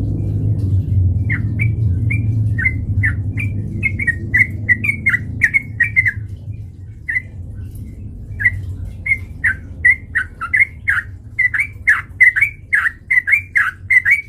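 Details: Fighting-provoking lure of a sooty-headed bulbul: a rumbling low noise fades as clipped, bubbly whistles begin, first spaced out, then quickening into a dense, chattering series.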